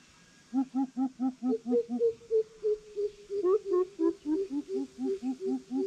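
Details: Greater coucals in a challenge: a deep series of booming hoots hands over to a slightly higher series, with both voices overlapping in places. The call continues as a dense, steady run of resonant notes for about five seconds.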